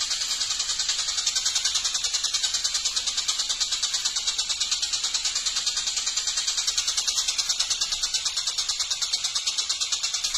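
A long-tailed shrike keeps up a harsh, scratchy, high-pitched chatter, with rapid rasping notes about three times a second throughout.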